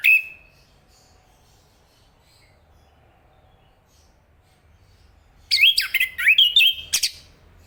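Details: A single clear whistled note from an Enggano thrush, a long pause, then a rapid burst of jumbled twisting warbles.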